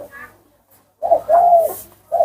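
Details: Spotted dove cooing, described as having a small voice: a short low note, then a sustained, even, hollow coo lasting about half a second, followed by another brief coo note, in a quiet setting.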